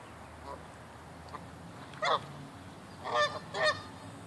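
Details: Honking geese give a quiet note, then a louder honk and a quick pair of harsh, nasal honks near the end, against a constant hissing background.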